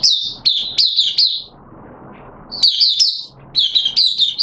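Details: Oriental white-eye, a caged hobby bird recorded in wet weather on 6 September 2022, giving bursts of quick high slurred chirps. A short pause with soft background hiss separates the two lively warbling phrases.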